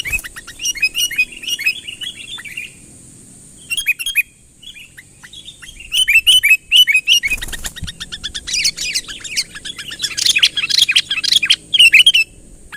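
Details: Sooty-headed bulbul calling persistently to lure a rival closer. Chattering runs of quick, sharp chirps are broken by a quiet pause, then resume denser and louder, with a brief flutter-like burst and a steady high whine throughout.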